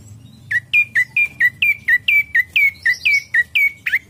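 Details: Ashy prinia song played to lure birds into singing, heard as a steady, rapid run of about fifteen loud, clipped chirps, each sliding downward, evenly spaced for over three seconds.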